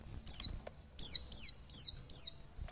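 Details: Female mountain white-eye calling to stimulate a male to sing: five sharp, high chirps, each a quick downward-sweeping squeaky note, given in a rapid burst with brief gaps between.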